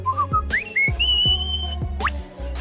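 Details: Superb Lyrebird mimicking a whistle: a few short rising whistled slides, then one long, steady, high whistle, over a low repeated thumping in the background.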